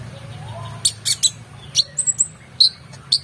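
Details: Oriental magpie-robin singing, used to tutor competition birds: short scattered high chips and clear whistled notes in a loose sequence, over a low steady hum.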